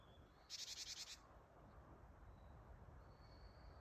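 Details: Japanese tit calling close by on 8 December 2025, a buzzy "ji-ji-ji-ji" call said to mean "gather": one harsh rasping burst of about eight rapid pulses lasting under a second, followed by faint thin high whistles in the background.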